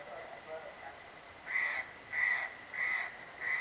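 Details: Steller's jay (Cyanocitta stelleri) at Holcomb Valley Campground, Big Bear Lake, California, on July 30, 2011, gives four harsh, rasping calls in a quick even series, about one every two-thirds of a second, over faint hiss.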